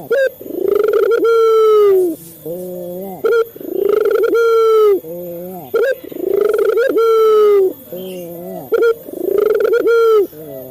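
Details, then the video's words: Captive male Barbary dove cooing to stimulate other doves into calling: four rhythmic low phrases, each a short clipped note, a swelling rolled coo, then a gentle falling hum, steady and loud. "Suara burung puter jantan | melatih burung puter lokal cepat bunyi | pancingan burung puter"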